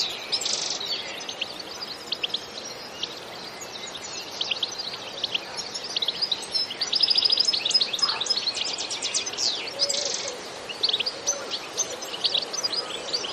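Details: European goldfinch delivering a lively bitbita song with no added effects: long runs of high, scratchy twittering and quick chirps, busiest in the middle, over a noticeable background hiss.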